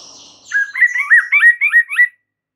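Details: White-rumped shama (murai batu) singing vigorously and showing off its repertoire of fills: after a faint hiss, a run of six or seven loud whistled notes near mid pitch, each sliding up then down, in a quick even rhythm.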